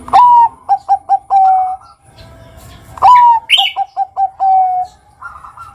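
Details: Bangkok-type zebra dove giving lure song to get young doves singing: two phrases, each a loud sliding whistled opening note, four quick clipped coos and a long steady low ending note, with a brief higher chirp between.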